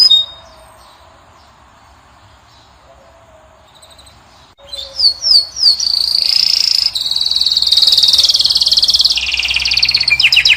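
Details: Caged Moroccan European goldfinch song meant to attract a female: near silence at first, then several descending whistles and a long, loud, high buzzing trill.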